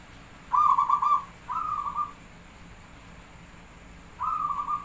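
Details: Zebra dove of the Javanese type giving its cooing song: three soft, rolling phrases of rapid beats, the first longest and strongest, then two shorter ones, over light background hiss.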